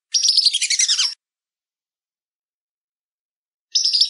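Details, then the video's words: Whistling duck: a one-second burst of rapid, high chattering whistles that drop in pitch at the close, then quiet before the next burst starts. "Download Suara Masteran Belibis"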